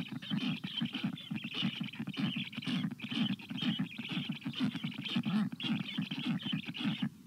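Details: Black stork chicks at the nest on 25 June 2022 in very hot weather, begging for water as an adult brings a shower. Rapid, rasping pulsed calls repeat without pause, with a low throbbing band and a scratchy upper layer throughout.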